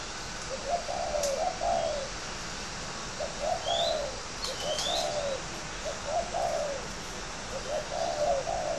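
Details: Spotted dove, a caged fighting dove from northern Vietnam, giving soft, low cooing phrases about every second, each a short rising-falling burst, repeated steadily. Faint higher chirps from other birds and a constant hiss of background noise.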